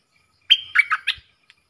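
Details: Single short phrase from a caged bulbul duelling with wild birds, 3 October 2021: a sharp high whistle sliding into three rounder, lower notes.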